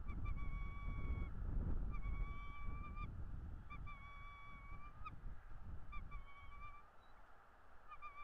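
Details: Bald eagle at its nest in northeast Florida, picked up by a nest camera on 9 February; repeated thin whistled notes held a second or so each, with short chips between them, over steady low wind noise.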